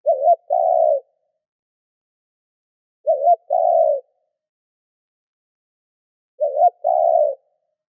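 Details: Decoy spotted dove used to lure others, cooing three times at roughly three-second intervals: a quick double note rolling into a longer steady low hoot, with silence between.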